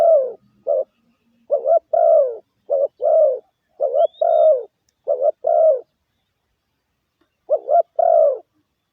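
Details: Spotted dove giving a lure coo used to stir up decoy birds: low mellow phrases, each two quick rising notes then a longer falling coo, repeated with short pauses; a faint thin whistle once in the background.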